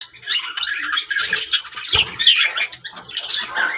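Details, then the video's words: Happy budgerigars in a group give a dense, scratchy warbling chatter of quick squawks and chirps, with a brief flutter-like burst near the two-second mark. "Happy budgies sounds"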